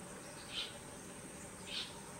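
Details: Parakeets feeding on papayas; two short, high, harsh call notes about a second apart over a steady background hiss and low rumble.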